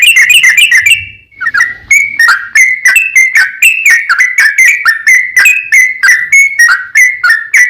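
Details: Sooty-headed bulbul delivering a long, rapid song meant to lure other bulbuls into answering: an opening rattling trill, then a continuous string of loud whistled notes, each sliding down and up, about four per second.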